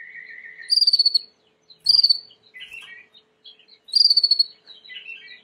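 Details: Singing Timbrado canary used as a training recording, alternating low steady trills with bright, rapid high rolling trills and short chirped notes, in a clean recording.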